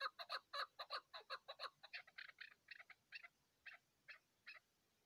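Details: A chukar partridge on the mountain opens with loud, crowded cackling chuck notes that slow, spread apart and fade toward the end.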